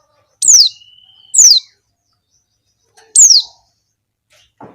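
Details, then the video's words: Female Javan white-eye luring males: bright, high notes dropping quickly in pitch, two close together then a third after a pause, with a faint thin whistle and a soft low rustle at the end. "suara pleci betina untuk pancingan pleci ombyokan"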